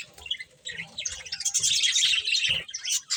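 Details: Colourful budgerigars feeding, chirping in a busy overlapping stream of high twittering notes that swells to a loud chorus midway, with faint low knocks in the background.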